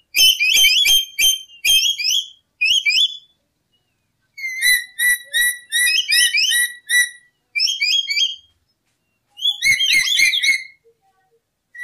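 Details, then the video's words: Lory (nuri) song played as a lure for trapping: rapid runs of sharp rising whistles, several notes per second, broken by short pauses, with faint clicks beneath. "Suara Burung Nuri Full 1 Jam Masteran untuk Pancingan"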